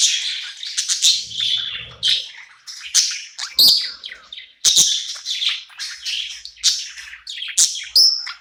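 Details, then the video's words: Budgerigar singing happily at night in a new home, a continuous chattering warble of buzzy, squeaky and clicking notes with occasional sharp chirps and a brief high whistle. "Cute budgie night happy in new home singing and chirping sounds"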